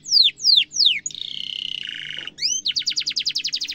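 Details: Canary singing a sharp rolled song used as a model for young canaries, with three loud downslurred whistles, a buzzy held tone, then a quick trill of repeated notes.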